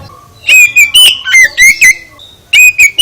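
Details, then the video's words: Oriental magpie-robin (kacer) song, used to make other magpie-robins answer: loud, harsh, harmonic-rich notes in quick bursts, some with sweeping whistled tones, separated by a brief pause. "Gak Mungkin Gak NYAUT ketika KACER ditempel dengan KICAU ini"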